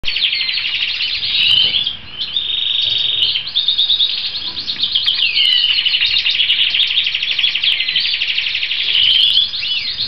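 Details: A European goldfinch of the subspecies balcanica sings a long, unbroken stream of bright, tinkling twitters and liquid trills, high and fast, with brief nasal slurred notes woven through.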